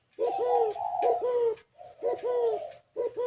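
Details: Overlapping spotted dove coos in the gáy gù kích bổi style, with deep rounded notes in pairs and a higher sustained coo running across them, plus a couple of sharp clicks.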